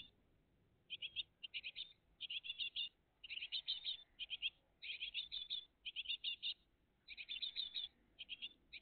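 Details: High, rattling chirp bursts from a great tit family at its nest, recorded between six and eight in the morning on 20 June 2023, each burst under a second, repeated steadily.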